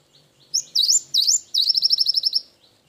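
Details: A gelatik batu, or cinereous tit, sings its wingko-style filler: three high swooping whistles followed by a long, rapid, evenly spaced trill of about ten notes, clean and close.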